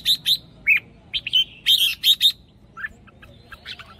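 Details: Red-whiskered bulbul in a cage, used as a hunting decoy, pouring out a rapid string of short chirpy whistled notes over a steady background hiss, tapering to softer notes.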